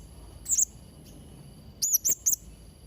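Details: Blue-crowned hanging parrot in active song: one shrill double squeak, a pause, then three quick piercing high notes, each sharply clipped, over faint background noise.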